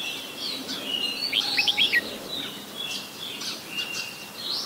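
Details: Adult Red-whiskered bulbul in Ubon Ratchathani, Thailand, on 16 December 2020, giving a quick burst of bright, liquid chirping notes mid-clip among thinner high chirps of other small birds.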